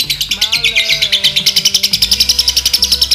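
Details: Lovebird tune of the kind said to lead to konslet long continuous singing in males or females: fast shrill chatter of repeated high notes with a brief whistled tone near the end, backed by music with a drum beat.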